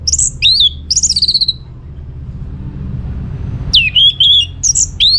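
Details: Orange-headed thrush in lively, full song from North Bali, Singaraja, played as a lure to make other birds answer: bright whistled phrases sliding down and fluttering, a burst near the start, another after a three-second pause, over a low steady rumble.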